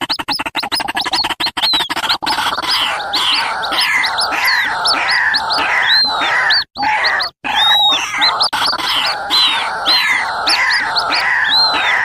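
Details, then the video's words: White-breasted waterhen chicks and adults calling together as a lure recording: a dense, noisy chorus of rising arched whistles mixed with harsh repeated notes, pulsing about every second, with a few abrupt cuts. "suara pikat burung ruak ruak ribut kombinasi suara anakan dan indukan"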